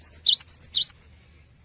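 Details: High, rapid song of a cinereous tit, a lure sound meant to draw quick replies from other birds: a quick string of bright rising notes and short whistles, stopping abruptly after about one second, then quiet.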